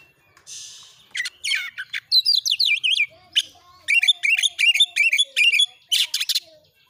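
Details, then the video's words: Oriental magpie-robin (kacer) persistently firing (nembak) rapid song, as training bait so other kacer join in fluffed-up fighting mode: harsh rasps, then fast runs of sharp, V-shaped high chips, about three per second, strongly repeated. "masteran Kacer NGOTOT NEMBAK MATERI PANCING CEPAT KACER IKUT NGOBRA NARUNG"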